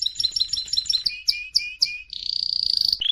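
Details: Canary song during training: quick doubled chirps, a few spaced swooping notes, then a long rapid high trill ending in a lower note.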